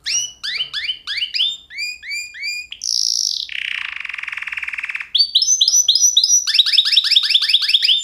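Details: Canary song in clear series: repeated chirped phrases about twice a second, a high buzzy note, a lower rolling buzz, then quick bright trilled notes.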